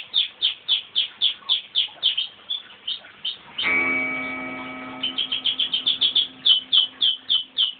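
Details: A crossbred pet canary sings after being started off by its owner's whistle, giving rapid, evenly repeated chirping notes at about three or four per second. A steady, sustained tone rich in overtones interrupts the notes before the chirping resumes.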